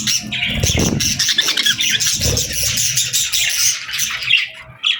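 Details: Several happy budgerigars chattering and chirping while eating: loud scratchy warbles and squawky notes over one another, with thumps and crunching of food at times.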